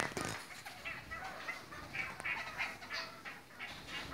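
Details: Red-crowned parakeets in assorted colour varieties, kept birds, uttering a fairly soft run of short, quick chattering notes repeated about three times per second, with some rustling and knocking.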